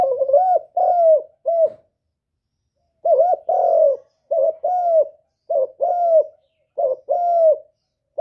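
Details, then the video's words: Spotted dove (derkuku) master song in the 'kuk 1' style, used to lure other doves: repeated soft cooing phrases, each a short wavering note followed by longer, slightly falling coos, after a clear pause. "Burung derkuku master gacor kuk 1 suara mantap untuk pancingan"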